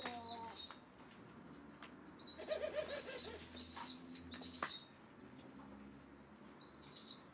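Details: Rescued pigeon chicks on their seventh day in care, waiting for breakfast, give high, thin squeaky peeps in short clustered bursts with brief pauses. Fainter low hums sit underneath.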